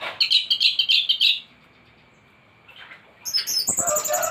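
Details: Thrush song from a master recording for training caged birds: a rapid series of loud chirping notes, a brief lull with a soft note, then high, scratchy chattering phrases.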